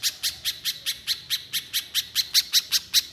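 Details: A little spiderhunter delivers rapid shooting song notes, sharp high chips spaced evenly at about five per second, growing slightly brighter toward the end.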